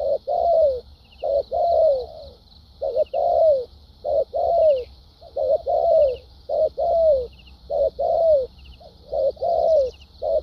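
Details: Spotted dove, a wild-caught bird with a good competitive temperament, giving 'thúc gù' and 'lèo dặm' cooing: loud, even, down-slurred coos repeated almost every second, with a constant thin high buzz and occasional faint chirps behind.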